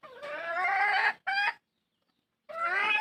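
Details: A hen seeking a rooster gives a long, strained, rasping cry, then a short sharp squawk, and after a pause another drawn-out harsh call, loud and close.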